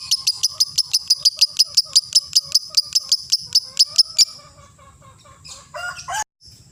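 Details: Lovebird ngekek song used as a lure recording to train and build the mental strength of young and adult birds: a fast, even series of sharp high chattering notes for about four seconds, then softer scattered calls and a brief noisy burst.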